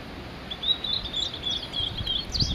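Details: Male Blue-and-white Flycatcher singing on Migitagatake during a long solo performance: a thin, buzzy run of high whistled notes strung together over two seconds, with faint low rumble beneath.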